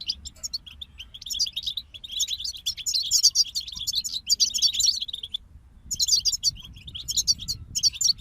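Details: Chorus from a European goldfinch group: continuous bubbling twitter and metallic trills for several seconds, a short silence near five and a half seconds, then renewed bright twittering, against a low hum.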